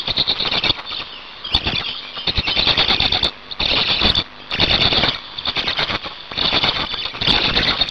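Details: Black storks at a nest in Hungary, 8 May 2019, while changing over and feeding. Loud rattling, squealing outbursts alternate with near-silent pauses roughly every one to two seconds.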